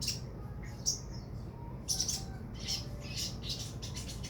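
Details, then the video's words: Sogon bird giving clipped, piercing chips followed by a stretch of harsh, rasping high bursts repeated irregularly, with a low continuous hum throughout. "burung sogon"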